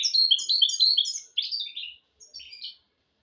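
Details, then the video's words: Short phrase from a goldfinch-canary hybrid, sung to teach goldfinches and canaries: quick descending twittered notes, a pause, then a brief buzzy chirp. "تغريد طائر الهجين الميستو حفاضة ودانية لتعليم طيور الحسون والكناري بدون أخطاء"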